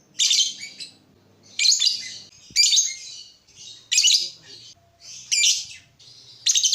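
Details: Lovebird, used as a training model for other birds, giving harsh, squeaky high chirps in short bursts roughly every one to one and a half seconds, with softer notes between them.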